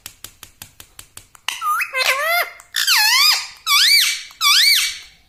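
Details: Talking pet ring-necked parrot in a small room: a run of sharp clicks, then five loud squeaky speech-like syllables with bending, wavering tones, closely spaced.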